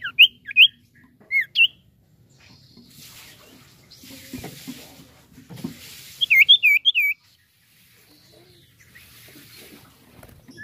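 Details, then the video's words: Common iora calling vigorously, played to encourage other birds to sing: short bursts of sharp V-shaped whistled notes at the start and again midway, separated by hissy quieter stretches. "CIPOH atau SIRTU GACOR AMPUH UNTUK MERANGSANG BUNYI BURUNG BAHAN"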